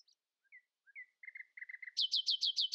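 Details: Common nightingale in early-morning song, outsinging its rivals: soft scattered notes, a series of throbbing low chuckles, then a loud, fast trill of about eight repeated, ringing notes.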